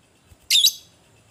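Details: A fighting lovebird gives one scratchy, shrill double chirp, used to rouse other lovebirds and linked to the ngetik and ngekek styles. A faint tap precedes it in an otherwise quiet background.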